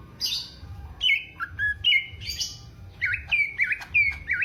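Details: Greater green leafbird from Alas Purwo, Banyuwangi, tested for mental strength, sings loud clear whistles, some falling and some level, in a lively sequence of short notes about every quarter second.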